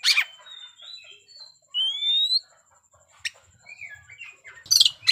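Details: Oriental magpie-robin fighting song used to anger rival birds: a harsh burst, then soft twittering and a clear upward-sliding whistle, a single sharp note, more quiet warbles, and a final harsh burst.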